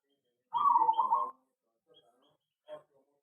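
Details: Caged local zebra dove in an aviary uttering a brief burst of fast, rolling coo notes lasting under a second, followed by near silence and one faint short note.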